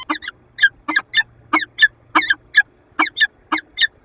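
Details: A peregrine falcon interacts with its mate inside a nest box at a Lublin, Poland power plant, February 2022, uttering fast, grating double and triple chip notes in close clusters.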